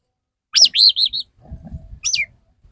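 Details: Male Oriental magpie-robin singing to court a female: a loud high rippling whistled phrase of looping notes, followed by low rumbling noise and a single descending whistle.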